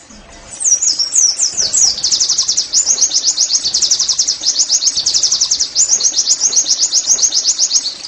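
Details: Oriental white-eye song played as therapy to get caged birds singing: a long, rapid, high twittering run of slurred notes, many per second, continuous and loud, over faint background noise.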